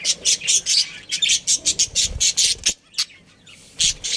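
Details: Budgerigars in a home colony give rapid, bright chirps, several per second in a dense run, then pause before a few more high notes; a low thump is heard midway.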